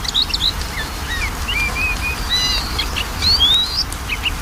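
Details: Magpie-robin song meant to draw a sluggish bird into singing; busy, overlapping chirps and short level whistles, then a rising whistled slur, all set against a noticeable background hiss.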